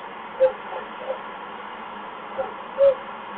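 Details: Owl arriving for food on the evening of 12 June 2015 at 8:28 PM. Two short, clear, mid-pitched notes, about two and a half seconds apart, sound over a steady hiss, with a few faint soft clicks between them.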